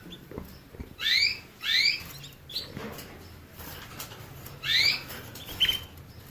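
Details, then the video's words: Canary giving pairs of rising whistled notes separated by pauses, plus a short flat whistle near the end, over rustling and scratchy background noise. "the basics of canary birds' singing"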